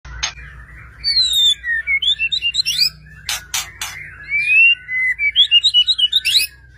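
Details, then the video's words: White-rumped shama song used to provoke other shamas into singing; varied whistled phrases and rapid trills between 2 and 5k, with sharp clicks midway and a quick repeated chattering run near the end. "murai batu gacor AMPUH untuk PANCINGAN murai batu agar bunyi JADIKAN burung murai gacor EMOSI NYAUT"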